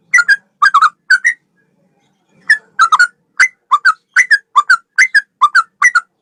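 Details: Male sooty-headed bulbul in full song: clusters of quick liquid whistled notes, a pause of about a second, then a steady stream of short bubbly phrases.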